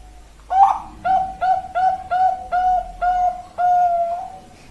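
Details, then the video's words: Bangkok-type zebra dove from Indonesia cooing: a soft rough opening note, then a steady series of about eight clear, mellow coos, each a little longer, ending in a drawn-out final note. "perkutut bangkok suara indo"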